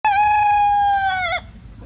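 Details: Silkie rooster crowing in the morning: one long, steady, richly harmonic crow held about 1.3 seconds, ending with a short downward slur, over quiet background.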